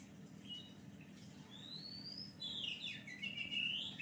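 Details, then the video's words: Oriental magpie-robin song used as a lure: a thin rising whistle, then a dense run of sweet, varied warbled and whistled phrases toward the end, over a steady low indoor hum. "Pancingan Kacer Gacor"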